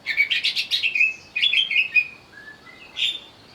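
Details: Greater green leafbird singing in agitation when provoked, opening with a rapid string of loud, scratchy chirps, followed by clipped whistles and a final harsh note.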